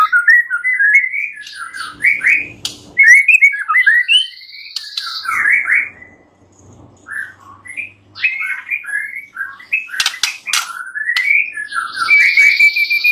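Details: Varied, rich White-rumped shama song meant to train other birds: rapid jumbled chirps and upward-swept notes in dense bursts, brief quieter gaps, and a sustained high buzzy note near the end.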